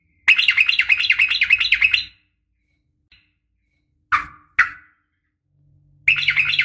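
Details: Female sooty-headed bulbul calling males in the morning. A two-second run of bubbly, wavering notes is followed by a silence, then two short sharp chirps, and finally another bubbly burst at the end. A faint low hum sits under the notes.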